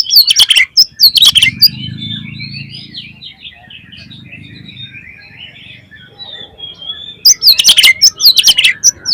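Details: Oriental magpie-robin singing a loud, fluent lure song to prompt other magpie-robins to sing; harsh high chirping bursts open and close the passage, with quieter warbled phrases and a low hum in between.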